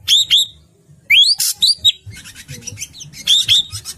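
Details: Ashy drongo sounds used to lure birds for trapping: sharp upward-sweeping whistles and a burst of harsh, noisy rasp, then softer scratchy chatter and more clear rising whistles, over a low background hum.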